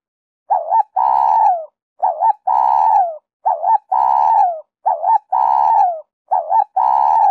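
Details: Cooing spotted dove singing the 'Giọng Kim 2 hậu' style, a lure to make wild doves call and come in: five steady phrases about every one and a half seconds, each a quick two-note coo followed by a drawn-out, softly falling coo.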